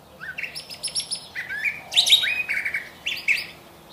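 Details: Curve-billed thrasher pouring out quick, varied phrases: sharp upslurred whistles, short buzzy notes and bright chirps in a fast, continuous series over a quiet background.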